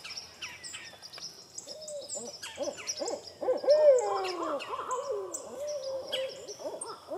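Barred owl hooting in a run of deep, wavering notes, one drawn out and sliding downward, while small songbirds chirp high in the background.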